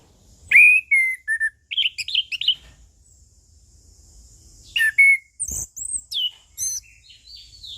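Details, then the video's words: Orange-headed thrush (punglor) singing relaxed ngeplong as tutor and lure song: clear whistled notes sliding downward, a cluster of short chirps, a quiet gap, then sharp descending whistles and trills. "MAsteran dan Pancingan Burung Anis Kembang / Punglor - AK Ngeplong Santai"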